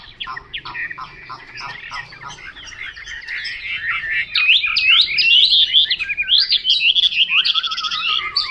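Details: Chinese hwamei with a long, building song of chattering notes rising into loud, rapid, looping whistles and a final falling trill.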